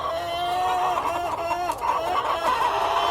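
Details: Hens and a cockerel on a farm, with busy overlapping clucking and short tonal cackles layered into a constant flock murmur.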